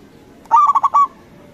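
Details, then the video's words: Zebra dove of a local strain with a loud voice, calling to provoke replies from other doves. A single rolling burst of five rapid coos with a drawn-out last note. "Perkutut lokal Gacor Suara BESAR bikin Cepat Emosi Lawan Auto Nyaut Seketika"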